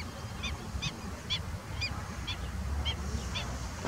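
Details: Ruddy shelduck giving a series of short, nasal honking notes, about two per second, fairly even in pitch, with a constant low background hum beneath.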